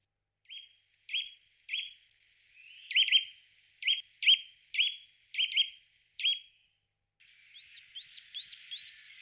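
A Eurasian nuthatch gives about a dozen sharp, loud 'dwip' notes at an uneven pace, then four quicker, ringing arched whistles.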